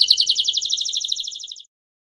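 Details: Canary performing a campainha long song meant to teach young birds: one rapid, evenly pulsed high trill of about twenty notes per second, fading out after under two seconds.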